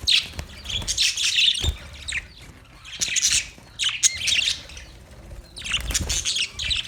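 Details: Chirping budgerigars: clustered bursts of rough, high squawks and warbles separated by brief quieter gaps, repeated about every second.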